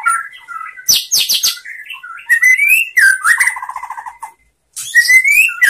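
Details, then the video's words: A white-rumped shama sings a rich, varied song of clear rising whistles, fast trills and harsh scratchy bursts, with a brief pause before resuming, used as a tutor song to prompt lazy birds to sing. "SUARA MURAI BATU bikin GACOR BONGKAR ISIAN ¦ MASTERAN MURAI ¦ SHAMA BIRD"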